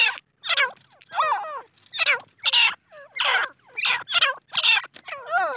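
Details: Young grey francolins bred from a Deccani female and Iranian male give repeated raspy, downward-sweeping squawks roughly every half second, several voices mixing, on a quiet background.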